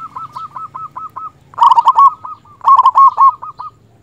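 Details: Agitated local zebra dove with a big voice, singing to call a rival: a run of even, beaded coos, then two loud rolling, stuttered phrases a second apart.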